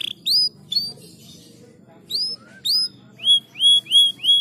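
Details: Canary sounds meant to get lazy canaries singing: separate clear upward-sweeping whistled chirps, first spaced out, then four in quick even succession near the end, over quiet background.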